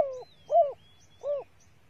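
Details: A female spotted dove coos as a lure for males. Three low, hollow, downward-curving coos are evenly spaced about two-thirds of a second apart, with faint thin high whistles drifting above.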